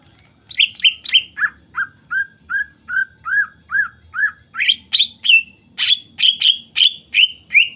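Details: Greater green leafbird song played to stir other leafbirds into singing: a steady sequence of around twenty loud whistled notes, first high, then dropping lower and repeated, then climbing back to bright, sharp slurred notes.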